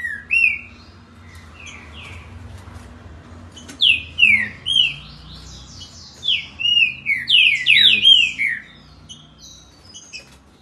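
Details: A green-winged saltator at Campinho, Jacarepaguá, Rio de Janeiro sings rich, loud whistled phrases that slur downward, in quick bursts that speed up into a rapid run of notes.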